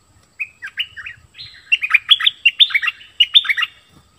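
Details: Bulbul known as merbah lekir, opening with a few sliding whistles, then a run of loud, rapid, downward-sweeping whistled notes in short groups, against near silence.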